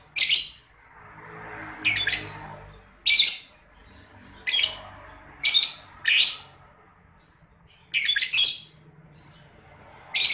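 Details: Grey-cheeked Bulbul in breeding condition, about to start its long chattering call, giving harsh, scratchy squawks, a burst roughly every one to two seconds, against a quiet indoor background.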